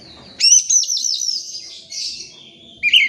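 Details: Oriental magpie-robin song aimed at birds that will not sing: a loud sustained whistled phrase with fluttering high notes, trailing off, then a short sharp note at the end.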